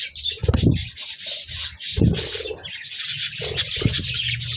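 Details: Budgerigars on 26 January 2024 keep up a scratchy, high warbling chatter while loud low thumps and rubbing noises come roughly every second or two.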